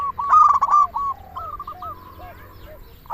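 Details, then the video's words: Local zebra dove, described as a lively singer, used as a lure to prompt other doves to sing: a loud burst of rapid cooing notes, then a trailing series of softer rolling coos fading away. "Perkutut lokal gacor suara paling ampuh untuk pancingan burung perkutut agar bunyi"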